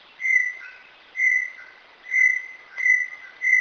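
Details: Inhambu Guaçu, the Brown Tinamou, gives a series of loud, pure whistles, each held briefly on one pitch and spaced slightly under a second apart, with soft lower notes in the gaps.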